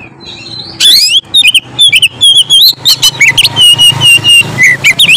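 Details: Oriental magpie-robin pouring out gacor ngeplong song meant to provoke other magpie-robins: dense, varied whistled phrases and slurred notes over a constant low hum.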